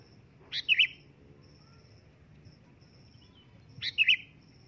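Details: Loud call of a sooty-headed bulbul: two brief bubbly whistled phrases about three seconds apart, each opening with a sharp note, over a low background hum and a faint repeated high tone.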